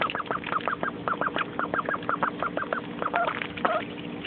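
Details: Excited young mallard duck, a pet then living indoors, enjoying a muddy puddle; rapid, evenly spaced short peeping calls, about six each second, turning into slightly longer, doubled notes near the end, over a faint steady hum.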